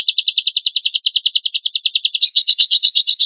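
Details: Champion lovebird's rough song, used to provoke other lovebirds to sing. A fast, even chain of shrill buzzy notes shifts near the end into louder, harsher, scratchier bursts.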